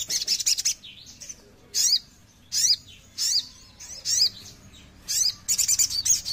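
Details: Oriental magpie-robin giving high, clear whistled phrases in separate bursts roughly every second, each a sharp chirp with a falling whistle, ending in a faster run of bright notes.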